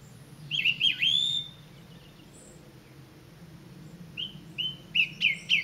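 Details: Singing song thrush in the Avenue at WWT Caerlaverock: a quick twisting whistled flourish, a pause, then a phrase of repeated short notes rising in loudness, each given three or four times.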